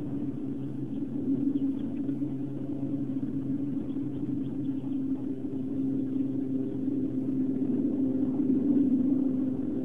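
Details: Continuous droning rumble with a faint hum fills the recording near an osprey nest on Long Island, and no bird or other animal voice is heard.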